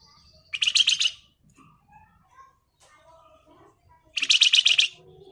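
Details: Flamboyan bird in energetic 'ngebren' singing: two dense buzzy rattles, each about half a second to a second long and roughly three seconds apart, with soft scattered chips in between.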